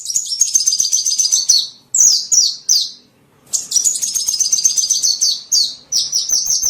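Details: Small bird sound for luring small birds: fast, high chattering trills broken by falling whistled notes, a brief pause, then more rapid chatter.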